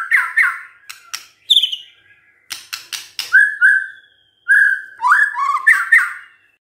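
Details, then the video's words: White-rumped shama in full gacor song, played so an idle shama starts singing: loud varied whistled phrases, some rising, some falling, broken by sharp dry clicks and short pauses. "DENGERIN INI MURAI BENGONG LANGSUNG BUNYI GACOR"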